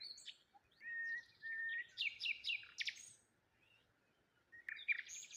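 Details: Cheerful chirping of birds on a morning beside water with a lone tree and rose hips; short whistles and buzzy bursts of rapid notes in the first three seconds, a pause, then a sharp closing chirp.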